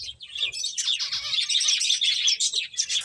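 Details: Finches at their food give a steady, busy stream of high, tinny chirps, quick notes overlapping throughout.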